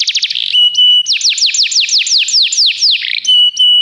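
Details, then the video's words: Belgian canary tutor in song: a short rapid trill, a flat sustained whistle, then a run of about ten evenly spaced falling slurs ending in another held whistle. "professor Canário belga cantando muito - best singing"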